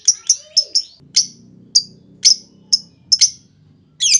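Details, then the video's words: Lovebird 'ngetik' lure for prompting long chatter from other lovebirds: a quick cluster of sharp chips, then spaced single chips over a low humming background, ending in a harsher double note. "Pancingan Burung Lovebird Ngetik Bikin Lovebird Lain Ngekek Panjang! Langsung Respon Gak Pake Lama"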